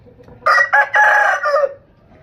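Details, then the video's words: Rooster crowing, a call roosters use to claim territory, attract hens and assert dominance: one loud cock-a-doodle-doo in three bursts, a short opening syllable and a long held middle note that falls at the end. "Amazing Rooster Crowing Compilation"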